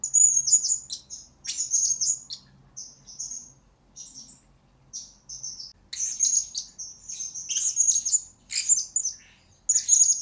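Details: High, sharp chittering phrases from a blue-crowned hanging parrot, a recording for training birds. Bursts of squeaky notes are separated by short pauses and grow denser in the second half.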